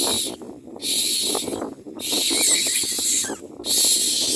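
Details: Common myna nest where chicks are being fed: broad wheezy hisses in irregular bursts, with a brief pause between each, and light rustling.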